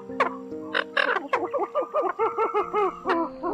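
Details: Eurasian coot calls on a bird-attracting lure recording from October 2020: a few sharp notes, then a rapid run of short arched calls repeated about four per second over faint steady tones.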